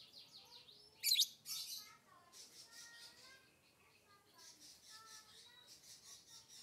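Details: Lovebird chatter: a quick run of descending squeaks, a loud harsh screech, then rapid high buzzy chirps and thin whistled notes rolling on steadily.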